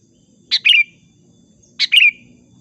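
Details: Sooty-headed bulbul in a vigorous lure recording used for bird trapping: two short bubbly phrases about 1.3 seconds apart, each a quick burst of sharp notes sliding down into a ringing whistle, over a quiet background.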